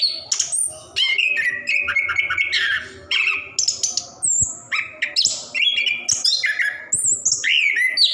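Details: Orange-headed thrush, plontang type, singing nonstop in a long, lively ngerol performance meant to coax reluctant birds into song; dense run of varied whistled phrases, sharp rising and falling notes and chattery bursts with barely a pause.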